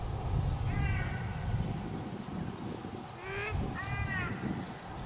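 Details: Rainbow lorikeets feeding in Australia: short harmonic squawking calls in a few bursts, separated by pauses, over a steady low rumbling background.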